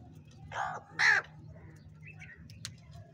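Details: Crow feeding in winter gives two harsh, hoarse caws in quick succession, the second one louder and sharper, over a steady low hum with faint bird notes behind.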